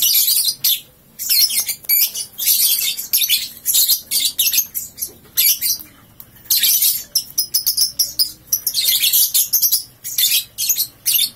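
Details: Young lovebird, three months old, freshly awake, giving its ngekek chatter as repeated bursts of shrill, rasping, rapid-fire notes, each lasting under a second, with brief pauses between them.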